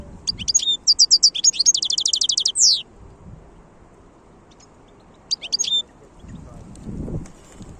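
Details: Wild European goldfinch singing: a rapid burst of tinkling, twittering high notes ending in a fast even trill, then a short pause and a brief second twittering phrase, with faint low rumble beneath.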